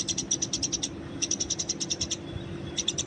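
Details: Wild Eurasian tree sparrow, used for training birds: three quick runs of bright, clipped chirps at about ten per second with brief pauses between, over a faint steady hum.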